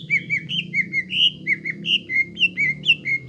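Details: Greater green leafbird in constant full song, played so young birds copy it and sing: a steady stream of fluty whistled phrases, about four per second, alternating higher and lower notes, over a quiet low hum.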